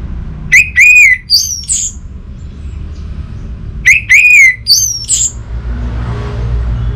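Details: An orange-headed thrush gives two similar phrases about three seconds apart. Each is two strong slurred whistles followed by a higher thin squeak. Quiet background hum.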